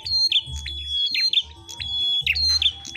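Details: Duelling red-headed prinias: a fast run of ringing high whistles linked by rapid chips, lively and unbroken, with low background rumble.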